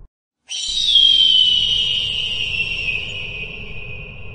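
An eagle gives one long, shrill, whistled scream that starts high and slides slowly downward for over three seconds, with no other sounds.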